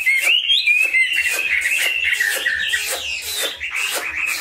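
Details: Chinese hwamei kept in a cage sings a sweet wavering whistle over a steady pattern of short clipped notes, roughly four each second, with a soft thumping below.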